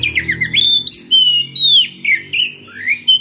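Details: Calling a rival, an Oriental magpie-robin delivers varied ngeplong song: a continuous chain of loud, clear whistles that rise, hold and dip, with twisting slurs and a final upward sweep.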